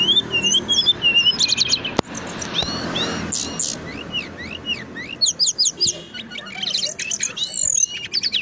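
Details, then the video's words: Brown-chested jungle flycatcher, an Indonesian local bird kept for its loud, tightly packed rolling song. Varied phrases of high whistles, quick upslurs and rapid trills run almost continuously, broken by a sharp click and a burst of noise. "Sikatan Rimba Dada Coklat Gacor - Ngeroll Tiada Henti"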